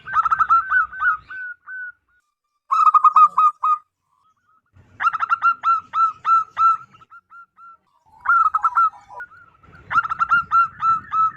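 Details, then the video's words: Zebra dove, a local wild bird with a big, clear voice, used to lure wild zebra doves: repeated phrases of quick staccato coos, each run a second or two long, separated by short pauses. "PERKUTUT LOKAL ALAM GACOR SUARA BESAR DAN LANTANG COCOK BUAT PIKAT BURUNG PERKUTUT"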